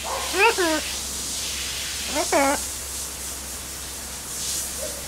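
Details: Blue-and-yellow macaw, a talkative caged bird in an outdoor aviary on a roof terrace on an August day, giving two short harmonic, bending vocal phrases about two seconds apart over steady background hiss.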